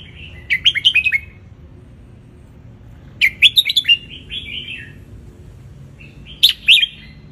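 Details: Red-whiskered bulbul from Ratchaburi, wild, sunning, its song serving as a tutor for young birds; three rapid warbled phrases of clustered chirps, the last shorter, with quiet gaps.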